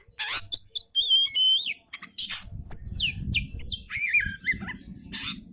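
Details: Oriental magpie-robin song meant to stimulate a lazy bird into singing: high whistles and quick falling slurs over harsh buzzy notes, with a low rumbling background noise through the second half.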